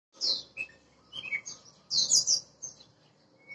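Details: Oriental magpie-robin, a recently caught bird from Borneo, giving a varied, high song of sweet whistles and scratchy chirps in short bursts, some notes falling in pitch.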